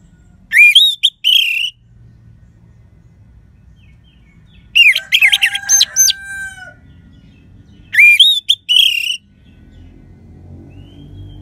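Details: Three ringing phrases from a crystal-voiced orange-headed thrush, used to coax weak or silent birds into song: each phrase a bright slurred whistle leading into fast high notes, the middle one over a lower sustained tone.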